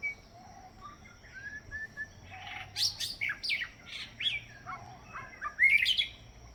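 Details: White-rumped shama perched on a branch on Kauai, singing as a person tries to whistle along: quiet thin whistles, then a lively run of varied chirps, trills and rising whistled notes in quick bursts, ending with a loud bright flourish.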